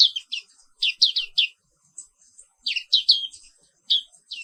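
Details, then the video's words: Zosterops atricapilla, Indonesia, singing its continuous 'ngerol' song in the morning: quick clusters of high, sharp descending chirps, three to five per burst, separated by short pauses, on a clean background. "Suara Terapi Pagi Pleci Papua Wiklus | Auto Aktif & Ngerol Terus"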